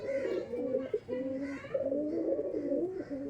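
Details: Teddy kamagar pigeons at a home loft in West Bengal, offered for sale; continuous low cooing with a throaty, warbling pulse that rises and falls, overlapping calls from several birds in a small indoor space.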